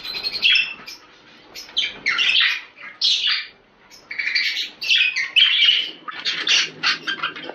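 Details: Budgerigar breeding-stimulation chatter: repeated bursts of scratchy warbling and high squeaky chirps, separated by short quiet gaps, growing denser toward the end.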